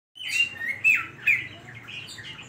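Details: Oriental magpie-robin (kacer) in lively song full of imitations (isian koslet): loud whistled and slurred phrases sweeping between high notes, with a few sharp emphatic notes, sung at close range.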